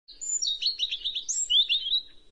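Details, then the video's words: A robin gives a quick, high, liquid warble of thin whistles and twittering trills that rise and fall for about two seconds, with no other sounds. "Robin Sounds"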